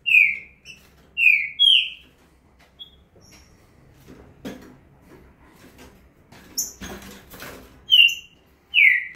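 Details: A green-winged saltator in fast, full song this year gives loud, rich whistled notes that slur downward, in quick bursts at the start and end, with clattering and rustling noises in between.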